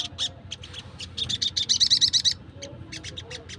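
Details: Wild sogon calling: sharp, high chips that speed into a quick rattling run of bright notes before trailing off into scattered single calls.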